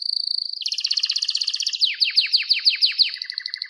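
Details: A canary's song runs from a rapid rattling trill into a series of loud, sharply descending whistled sweeps repeated about five times a second.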